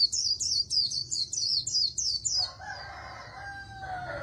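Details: An Oriental white-eye sings a fast run of high, thin descending twitters, about nine in two and a half seconds, followed by lower sliding whistles from another bird.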